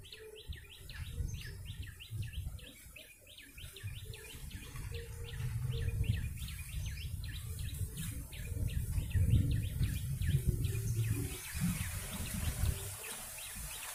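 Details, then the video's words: Call of a yellow-bellied prinia played to lure birds, a long, fast, fairly uneven string of short high chirps, roughly four per second, with a low droning hum and hiss underneath that grow louder toward the end. "Pikat burung prenjak lumut"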